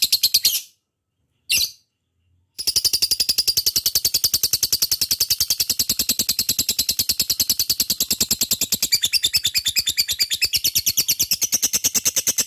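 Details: Two brief bursts and a short pause open this lovebird 'ngekek' song, used as a lure. Then comes a long, unbroken, rapid, high rattling chatter lasting about ten seconds, which turns more strident near the end.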